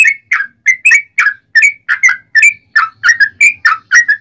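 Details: A yellow-vented bulbul's chattering song, used to trigger other bulbuls to sing, runs as fast slurred whistles, some doubled, around fifteen notes in four seconds, with no other sounds.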